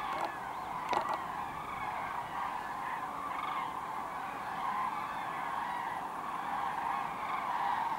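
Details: Flock of common cranes at Kvismaren arriving to roost in the wetland, part of 24,000 present; many overlapping bugling calls blend into a steady rolling chorus, with a brief knock near the start.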